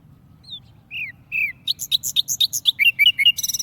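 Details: A tamed wild warbler kept in a cage sings a quick, varied song: a few slurred whistles, then rapid chirpy notes about four a second, ending in a fast trill, with a faint low hum beneath.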